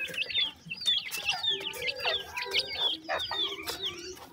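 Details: Captive black francolin chicks of both sexes giving rapid high whistled peeps, many sharply falling or hooked, repeated roughly twice a second by several overlapping birds over low clucks.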